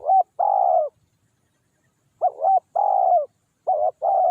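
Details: Spotted dove used as a decoy to coax wild doves down. Low, mellow cooing phrases: a short note, then a longer rolling coo, repeated in pairs about every two seconds against a quiet background.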